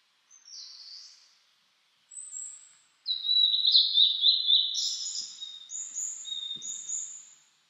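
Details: Blue-and-white flycatcher singing in mountains in spring 2022, cloudy at 14°C, the day after rain among fresh green leaves; high clear whistles, a pause, then a longer rich warbled phrase ending in repeated sweet high notes.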